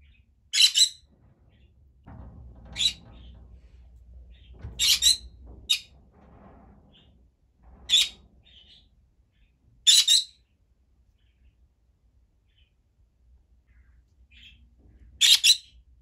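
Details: A pet green-cheeked conure of unknown sex in Aichi, Japan gives loud, harsh squawks, crying hard for its companion budgies when it cannot see them.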